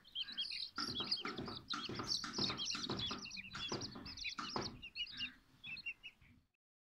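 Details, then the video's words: Silkie and Golden Sebright chicks cheeping rapidly, many high curved peeps piled together with bumping knocks, the calls thinning and fading over the final seconds into silence. "Silkie Chicks and Golden Sebright Chicks"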